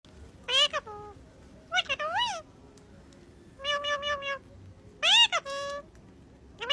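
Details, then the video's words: A rose-ringed parakeet talks in five short bursts of nasal, speech-like syllables, some rising and wavering like a meow, over a quiet room. "Ringneck parrot talking"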